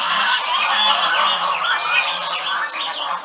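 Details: Geese calling early in the morning: a noisy chorus of loud, repeated honks, rapid and overlapping, with rising and falling nasal notes from several birds.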